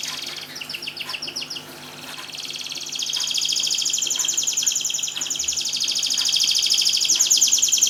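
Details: Canary song, used as a lure for canaries that have stopped singing, with short chirp bursts giving way to a long, fast, high rattling trill over steady background hiss.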